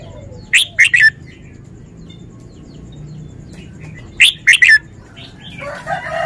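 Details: Short phrase of three crisp whistled notes from a red-whiskered bulbul, repeated after about four seconds of quiet. Distant crowing begins near the end.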